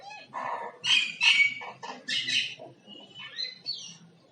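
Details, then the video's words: Common myna making different types of sound like singing: a loud run of harsh, buzzy bursts mixed with lower nasal notes, then thinner high whistled slurs fading toward the end. "Common Myna Bird sound like singing (Making different sound)"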